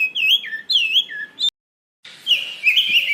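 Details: White-rumped shama song used for luring and training birds: wavering whistled notes with falling slurs, a short silent break, then a rapid warbled run of wavering whistles.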